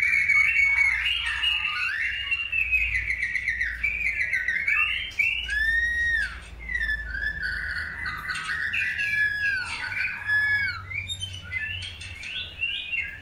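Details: Long-tailed white-rumped shama during the pairing process for breeding, singing a continuous, rich run of varied whistled phrases: slurred rising and falling notes mixed with quick chattering trills, loud and nearly unbroken for thirteen seconds over a faint low hum.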